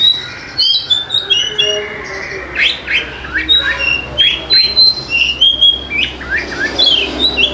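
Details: Oriental magpie-robin song as a lure for reluctant singers: continuous, varied whistled phrases, sharp rising sweeps and high level notes, repeated rapidly for the whole stretch over a low background hum.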